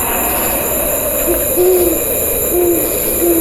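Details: Owl hooting at night: a series of short, low, hollow hoots, each about a third of a second, spaced roughly a second apart over a steady hiss of wind-like background noise.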